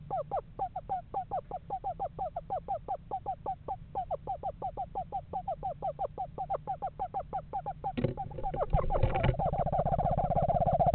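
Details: Eastern screech owl pair house shopping in November; a long, evenly pulsed run of quavering notes keeps the same pitch for about eight seconds, then gives way to loud rustling and bumping noises.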